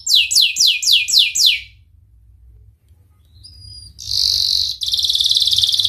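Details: Canary singing for canary training: six strong downslurred whistled notes evenly spaced, a quiet gap with faint thin tones, then a loud buzzy high trill.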